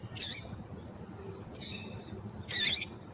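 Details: Female double-collared seedeater (Sporophila caerulescens) gives three short, high, hissy chip calls about one per second against quiet, a call used to stimulate males to sing.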